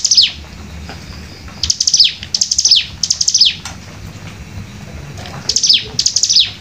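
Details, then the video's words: Cigun, a hill prinia, delivering its 'nembak rapat' song: fast-repeated strings of thin, high, downward-sweeping chirps, grouped in tight bursts about a second long, with a soft low rumble beneath. "cigun nembak rapat"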